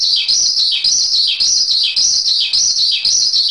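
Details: Javan pied starling masteran song: a loud, high chattering phrase that sweeps downward, repeated roughly every 0.6 seconds in an even cycle, with no other sounds.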